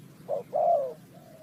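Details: Spotted dove at a trapping site, Ninh Thuận: a single phrase, one short coo and then a longer smooth falling coo, with faint hum behind.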